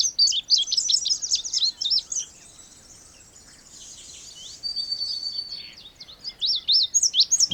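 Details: Indigo bunting song: high, slurred paired notes in a quick phrase at the start, a pause holding a faint thin steady whistle, then another run of sweet, paired notes ending in a sudden thump.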